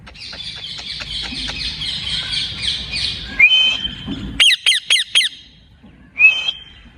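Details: Ring-necked parakeet, described as a talking parrot: a harsh run of squawks, then a clear rising whistle, a burst of four sharp repeated notes, and another rising whistle near the end.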